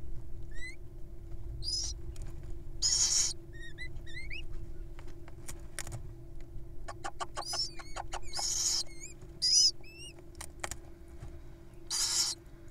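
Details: Wild little owls at feeding time: raspy hissing bursts repeat every few seconds among upswept squeaky chirps and sharp clicks. A steady low hum runs underneath.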